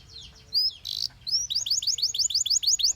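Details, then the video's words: Song of a Belgian canary that sets other canaries singing, with a short buzzy burst followed by a steady series of crisp upswept whistles, about five each second. "The sound of This Belgian Canary Attracted Many Canaries to Sing"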